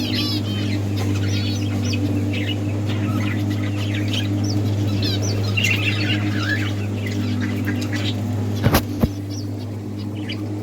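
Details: Budgies in a breeding colony, playing and chirping: a dense, continuous chatter of quick warbled and scratchy chirps from several birds, with a steady low mechanical hum beneath and two sharp knocks near the end.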